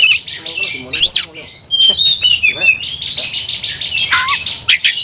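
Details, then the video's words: Provoked Oriental magpie-robin in combative song and display: rhythmic buzzy trills alternating with clear slurred whistles and a downward sweeping phrase, loud and sustained. "membakar emosi kacer, kacer gacor tarung ngobra"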